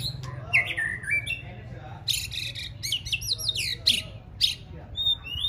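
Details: Contest-training white-rumped shama, fourth season, singing fast bursts of sharp whistles, chips and downslurred notes broken by short pauses, with a faint low hum behind.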